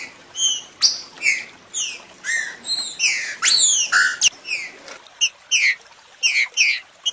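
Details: Green-winged saltator singing, meant to stimulate others of its kind: continuous whistled slurred notes, some long upward sweeps, with low background rumble that drops away toward the end as crisper short notes follow.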